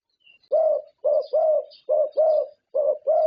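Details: Champion zebra dove from Thailand, judged on its characteristic voice, delivers seven low, resonant coo notes in quick grouped pairs, steady and mellow, with faint high twitters behind.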